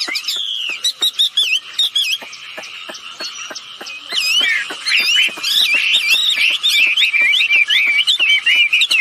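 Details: Female and male wambi birds calling actively, a recording used as a lure to set other birds calling; sharp clicking ticks first, then a dense stream of high, rapid, looping whistled notes grows louder and busier.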